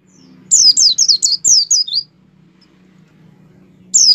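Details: Caged white-eye in full gacor song, meant to prompt other white-eyes to open their beaks and sing: one quick phrase of about seven shrill descending whistles, then a faint steady hum before the next phrase begins.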